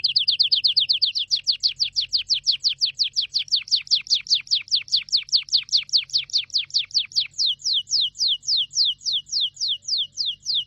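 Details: Canary song made of one long, rapid run of repeated descending whistled notes, very fast at first and slowing slightly toward the end, lasting about ten seconds.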